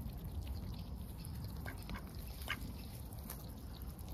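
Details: Under heavy cloud, lively ducks recorded at close range give a few brief quacks midway, over a strong low rumbling background.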